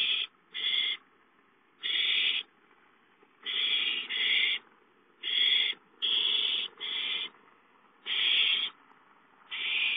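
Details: Owl nest on 5/5 as an adult brings a gopher at 8:53 and a young owl steals it; overlapping harsh hisses from several birds, some bursts doubled, filling the passage.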